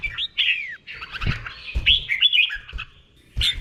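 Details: Red-whiskered bulbul, a caged Thai songbird, delivering slow, clear doubled 'beon' song meant for other birds to copy. A curving descending whistle opens, followed by chattering warbled phrases, soft dull knocks underneath.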